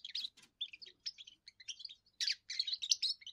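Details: European goldfinch, a young bird in its first song, meant to warn rivals off its area and impress females: a continuous, rambling twitter of quick chirps and liquid trills, growing louder and denser near the end.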